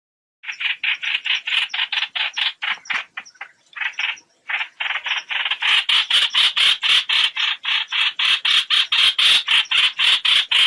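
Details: Trao trảo bird calling its flock, a sound used as a lure for net trapping: harsh, buzzy chattering notes repeated about four times a second in steady runs, with a brief broken pause near the start.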